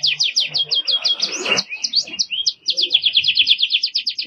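A canary sings rapid, high trills of repeated notes, several tours run together with a brief rolling flourish midway and barely a pause.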